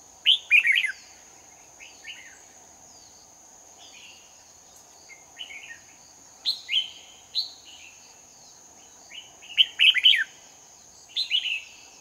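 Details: Red-whiskered bulbul lure bird in competitive song during trapping in Hoa Binh, 18 November 2019. Bright warbled phrases come in irregular bursts, about eight within twelve seconds, some louder and some distant, over a steady high whine.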